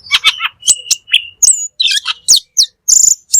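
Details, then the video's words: Black magpie singing at full strength for songbird training: dense, harsh chattering notes mixed with bright whistles and a rapid stuttering burst near the end. "Suara Burung Cucak Keling Full Gacor"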